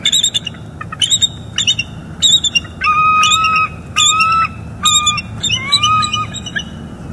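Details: Bald eagle pair at a northeast Florida nest, 29 September 2021 morning, exchanging calls after the female declines mating. Sharp high chips followed by longer piercing whistled notes repeated roughly every second, some ending in trills.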